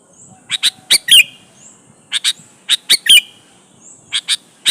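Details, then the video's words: Lure song of a sooty-headed bulbul meant to make other bulbuls answer and sing; clipped, bright notes grouped in threes and fours, each group closing with a twisting slurred note, separated by short pauses. "suara burung KUTILANG GACOR MENEKAN LAWAN"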